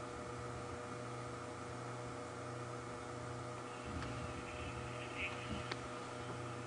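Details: A steady mains-like hum with faint murmuring and a couple of soft knocks, and no animal sound heard.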